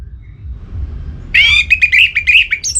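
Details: Orange-headed thrush from Singaraja, North Bali, singing in breeding condition to call a rival: after a quiet start, a loud burst of shrill, buzzy whistled notes runs in a rapid, uneven string for about a second and a half.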